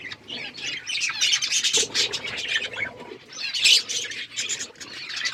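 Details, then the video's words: Budgerigars eating seeds chatter and chirp together, a thick stream of twittering warbles that swells and fades. "Birds eating seeds budgies chirping sounds"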